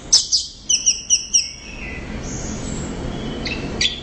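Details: An orange-headed thrush sings loudly. Two sharp high notes lead into a quick series of four to five repeated chirped whistles. A faint thin whistle follows, then two brief high notes near the end.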